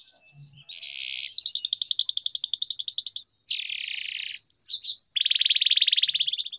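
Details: Canary song meant to train other canaries, made of long continuous rolling trills, some fast and rattling, others smoother and buzzier, separated by one short gap and ending in a rapid pulsing trill.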